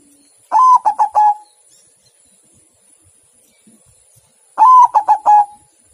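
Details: Two repeated phrases from a white zebra dove, roughly four seconds apart. Each is a stretched first coo followed by a burst of three short, bouncing notes. Otherwise quiet.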